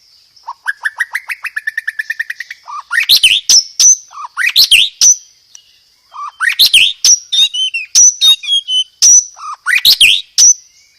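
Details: White-rumped shama song, loud and ringing, with 'roll tembak' material: a fast rising trill of repeated notes, then powerful bursts of sharp sweeping whistles and chatter in repeated phrases.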